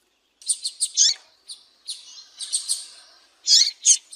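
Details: A female Double-collared Seedeater (coleiro) gives thin, high chirps in quick clusters of three or four with brief pauses, against a quiet background. This female call is used to excite captive males into singing.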